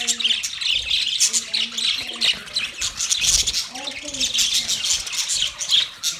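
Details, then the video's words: A budgie group keeps up a continuous, squeaky twittering chatter, with short lower tonal notes in the background at intervals. "Birds Chirping sound Beautiful Budgies sound Parrot relaxing voice"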